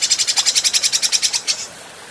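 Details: Training recording of an adult grey-cheeked bulbul for cage birds. A brief burst of about fourteen fast, harsh, evenly spaced notes that ends abruptly in quiet.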